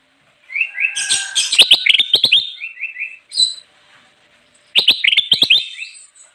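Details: Energetic bulbul song, used for luring wild birds: a dense burst of chattering notes with sharp clicks, then a short run of rising whistled notes, a pause, and another chattering, clicking burst.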